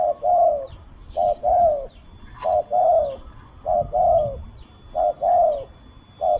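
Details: Spotted dove from a decoy-trapping session coos rhythmically: five two-part phrases of a short note and a longer, slightly falling coo, evenly spaced, then the start of another, with faint bird chirps.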